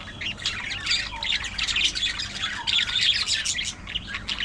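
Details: Budgerigar chattering: a dense, continuous warble of scratchy chirps, squeaks and buzzy notes, fast and irregular, with no pauses.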